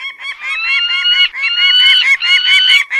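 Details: Peregrine falcon calling in a continuous series of harsh, nasal, strongly harmonic notes, grouped into longer wailing phrases with short gaps, roughly one and a half notes per second.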